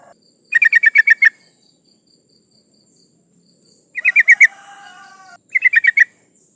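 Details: Female sooty-headed bulbul in breeding condition calling to males, used as a lure for rivals: three quick bursts of sharp, chattering notes, six or seven notes in the first and about five in each later burst, over a faint steady high tone.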